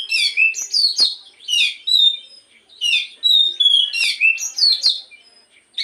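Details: Morning song of a black-throated magpie-robin, used as a lure to encourage another bird to sing: rapid run of rich whistled, descending slurs and sharp notes in bursts, with short pauses between phrases.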